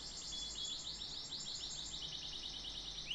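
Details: Canary in full song, delivering a fast, even trill of high falling sweeps, about six to seven per second, ringing and bright, with a faint low hum underneath.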